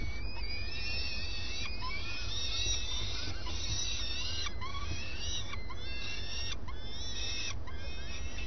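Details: At a nest in early morning, common swifts give shrill, high screeching trills, several birds overlapping in quick bursts over a steady low rumble, as the two adults swap places and fly together.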